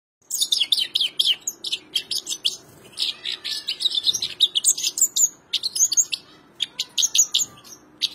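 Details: Goldfinch singing in a fast run of bright twittering chirps and short trills, high and densely packed, with brief pauses between phrases and a faint low hum underneath.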